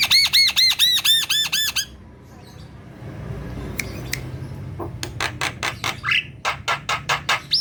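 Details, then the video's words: Black-winged myna in full voice: a fast string of clear, arched whistled notes, a short low-noise pause, then rapid harsh clicks and rasps with a rising buzzy squeal. "Pancingan jalak kebo malas bunyi | jalak kebo gacor"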